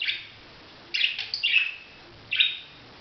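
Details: Budgerigar producing a few harsh, buzzy chirps: one at the start, a short cluster after a pause, and a final single note.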